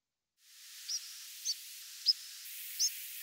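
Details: European Pied Flycatcher secondary call: four short, high, fairly powerful hook-shaped notes spaced under a second apart over steady background hiss.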